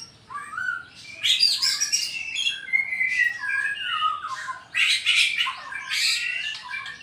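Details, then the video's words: Kecor song of a White-rumped shama from Sarawak, Borneo, challenging a rival: loud bursts of harsh, broadband notes alternate with clear slurred whistles over about seven seconds. "Kicau kecor murai batu borneo sarawak ngajak tarung"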